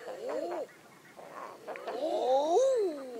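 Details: Common eider giving soft arched coos: a brief pair early, then a louder, longer run of swelling, rising-then-falling moans from several overlapping birds.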